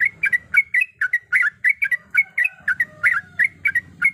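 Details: Female yellow-vented bulbul in breeding condition calling to a male, used as a lure: rapid bubbly, chattering notes repeated about three or four per second, with a faint low hum beneath.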